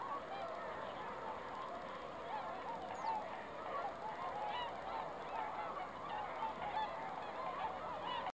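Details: Swans gathered on a foggy lake on December 20, 2016, a large flock honking constantly, many short harmonic calls overlapping in a dense, lively chorus throughout.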